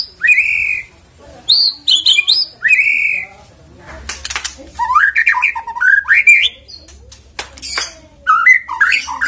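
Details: White-rumped shama song played as a lure to make birds sing: loud fluty upslurred whistles and quick chip clusters, interrupted by noisy rustling bursts, then more varied warbled phrases.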